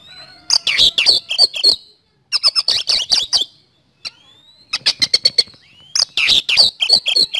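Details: Rapid lure song from an Oriental magpie-robin (kacer) in 'speed roll' style: four bursts of machine-gun chips and high whistles, each about one to two seconds long, with faint rising whistles in the gaps.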